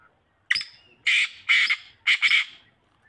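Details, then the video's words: Black francolin calling: a harsh, grating phrase of four loud rasping bursts, the first short and the rest longer and doubled, spaced about half a second apart against a quiet background. "kala teetar awaz|black francoline voice"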